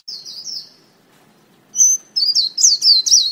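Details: White-eye lure call: a short run of high, thin twittering notes, a second of near silence, then a brighter burst of quick rising and falling chirps ending the recording.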